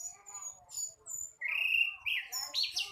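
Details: A flycatcher youngster still learning to sing gives soft thin whistles, then a louder level whistle, a short twisting phrase and a steep rising high note at the end.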